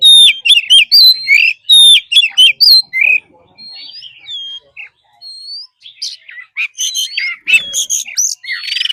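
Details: Oriental magpie-robin forest-style training song: repeated phrases of sweet upslurred whistles and chirps, a quieter pause with lone clear whistles, then a renewed burst of sharp notes.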